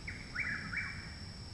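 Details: Chuck-will's-widow in Parkersburg, West Virginia, 29 May 2019, singing loudly close to a house a month after arriving; one full phrase: a brief clipped opening note, then two slurred whistles dipping and rising, against a constant thin high tone and low background rumble.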